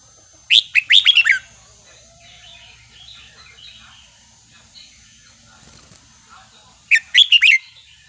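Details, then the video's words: Wild-style counted-phrase song of a Red-whiskered bulbul: two loud, fast bursts of rich whistled, bubbling notes about six seconds apart, with faint chirping between. "นกกรงหัวจุกสายนับดอก เพลงป่า สำนวนเพราะๆ"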